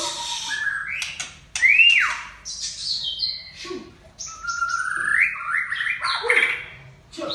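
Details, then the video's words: Aceh-type white-rumped shama song of high whistled notes, sweeping up-and-down slurs and sharp clicks, several phrases rising in pitch, loud and close with brief gaps between bursts. "Murai Aceh"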